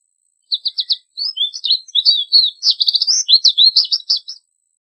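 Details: American goldfinch song: a clean, high series of short twittering notes, opening with a few evenly spaced chips, then a rambling run of rising and falling warbles and buzzy twitters for about four seconds, no background noise.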